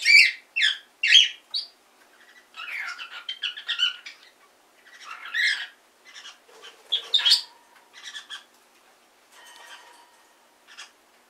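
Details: Cockatiel kept as a hand-tame pet rehearsing speech: a few sharp squawks, then mumbled, raspy chatter and soft warbling phrases spread over eleven seconds.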